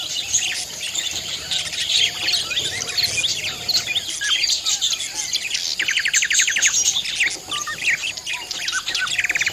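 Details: Budgerigars chattering, perhaps squabbling, in a busy group: dense high chirps and warbles with rapid buzzy trill bursts midway and at the end.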